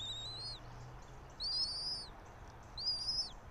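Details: Bald eagle pair on their pine-tree nest in Johnson City, Tennessee, seen on a nest camera at 06:28 on 3 April 2024: three high, arched whistled notes, each rising then falling, spaced about 1.4 seconds apart, over faint low hum.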